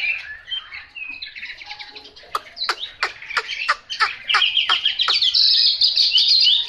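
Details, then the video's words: Chinese hwamei pouring out a rich warbled song. A series of sharp clicking notes comes in quick succession midway, and the clip ends in a sustained, loud, ringing whistled trill. "Họa mi tuyển chọn"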